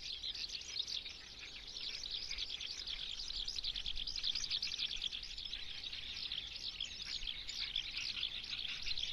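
A Eurasian skylark pours out an unbroken, high-pitched stream of rapid chirrups and trills, with no pauses, over faint background hiss.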